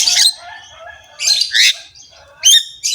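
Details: Javan myna in full, harsh-voiced song while head-bobbing: three loud raspy bursts separated by quieter chattering and faint whistled notes, used as a master recording to prompt caged mynas to sing.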